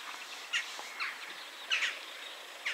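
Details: Wood sandpiper at 53.317 N, 22.465 E, near nesting terns, giving short, high whistled notes in several brief bursts about a second apart, over a steady background hiss.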